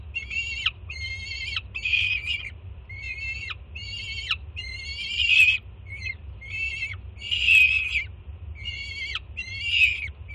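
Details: Juvenile peregrine falcon at a nest cam in Jersey City, June, screaming with excitement as its mother arrives with breakfast: harsh, strongly harmonic screeches, each about half a second, repeated in a steady run of roughly eight, over low background hum.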